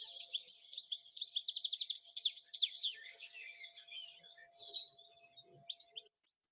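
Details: European goldfinch singing in the dawn chorus: a bright, tinkling chatter of fast twitters with a wren-like buzzy trill, like rapid-fire lasers, phrases ending in a flourish, over a faint steady hum.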